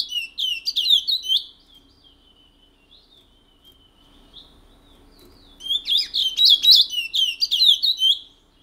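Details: Caged picolette (Chestnut-bellied Seed-Finch) from French Guiana, kept since 1986, singing the rare regional Matiti song style: a burst of rapid high twittering phrases, a quiet pause, then a second longer run of fast warbled, slurred notes.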